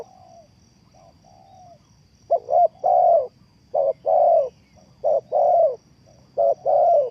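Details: Spotted dove used as a trapping lure. Soft faint coos open the clip, then loud rhythmic phrases follow, each a quick broken double coo and a long purring hoot, repeated four times.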